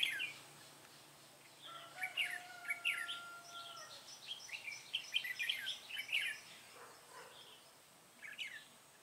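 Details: Red-whiskered bulbul recorded where the birds are trapped, giving a lively run of quick chirping and warbling notes through the middle seconds, then a brief last phrase near the end; a thin steady whine sounds early on.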